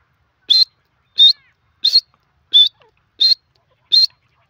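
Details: Grey francolin, known locally as desi teetar, repeating a loud high whistled note six times, each a short slightly rising burst about every two-thirds of a second, in a quiet background.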